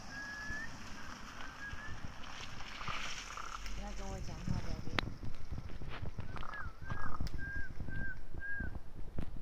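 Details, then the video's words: Raven making weird sounds: a run of short whistled, slightly slurred notes, then a stacked, harmonic call, then a steady series of clear piping notes about every half second, over constant low rumbling wind and handling noise. "Weird raven sounds"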